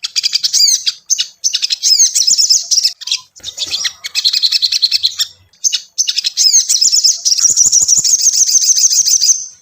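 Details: Crimson Sunbird song used to prompt a caged bird to sing: repeated bursts of sharp, very high chirps and downslurred whistles, ending in a sustained, fast, buzzy trill.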